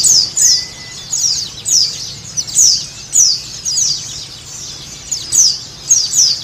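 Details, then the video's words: White-eye (pleci) song meant to coax a caged bird into singing: bright, very high twittering notes falling in pitch, grouped in short phrases about every half second, with steady low hiss beneath. "Terapi pleci supaya cepat bunyi dan buka paruh|| Pancingan pleci"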